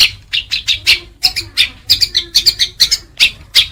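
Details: House sparrows in a fight, giving loud, sharp, irregular chirps, single or in quick pairs and triplets, with short pauses between bursts. Recording used to train pet birds.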